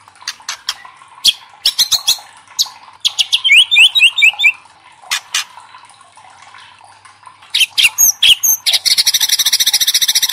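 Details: White-rumped shama giving a loud lure song meant to challenge other shamas into singing: sharp clicks and chips, a burst of fast twisting high notes, then a dense buzzy rattle repeated rapidly at the end.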